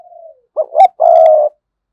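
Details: One complete phrase from a decoy spotted dove in sa gù and thúc bổi style: a faint trailing coo, two quick rising notes, then a steady hollow coo of about half a second.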